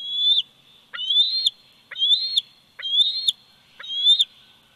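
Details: Young bald eagle 104 days old, filmed by nest camera at Big Bear Valley, 27 July 2019, giving five high whistled notes roughly once a second, each sliding upward and finishing with a short clipped snap.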